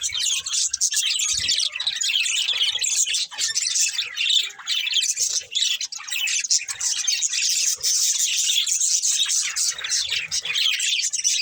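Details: Budgies keep up a steady, noisy flock chatter of harsh squawky chirps and grating warbles, nearly unbroken through the whole stretch.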